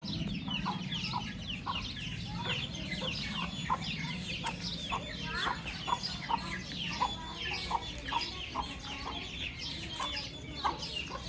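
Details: Baby chicks chirping together in a dense chorus of short, high downward-sliding peeps, overlapping constantly, with a steady low hum and scattered clicks underneath.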